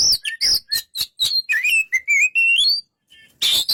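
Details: Oriental magpie-robin song opening with quick high whistles and clicks, then a smooth rising run of warbled whistles, a pause, and a final harsh burst.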